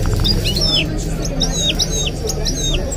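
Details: Goldfinch × canary mule singing: thin, high whistled notes sliding up and down in quick phrases, with steady Arabic sports commentary running underneath.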